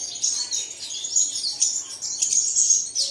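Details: Birdsong meant to make caged birds sing in the early morning. Thin, high, tumbling twitters and trills with no clear gaps.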